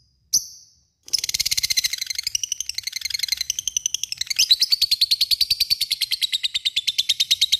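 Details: Long ngekek chatter of a lovebird calling a rival: after one brief squeak and a pause, a continuous rapid rattle of high, buzzy notes begins, holding a steady fast rhythm for over six seconds.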